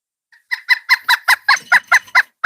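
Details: A pileated woodpecker near a backyard bird feeder gives a loud, ringing run of about ten even 'kuk' notes, five per second, steady in pitch, with no other sounds behind it.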